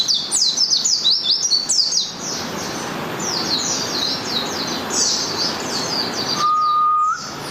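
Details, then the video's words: Malang white-eye (pleci) in morning song, a quick chattering sequence of high, thin downslurred notes, softening midway, followed by a steady electronic-sounding tone near the end. "suara merdu pleci malang"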